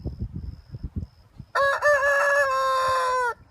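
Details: A free-walking farm rooster (Gallus gallus domesticus) gives one loud, harmonic crow lasting nearly two seconds, with a brief break near the start, after soft low thumps and rustling.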